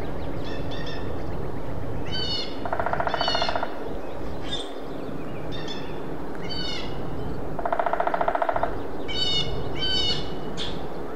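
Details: Hairy woodpecker drumming: two rapid, evenly spaced rolls about a second long, roughly five seconds apart, while other birds call repeatedly with short, harmonic, nasal notes over a steady background hiss.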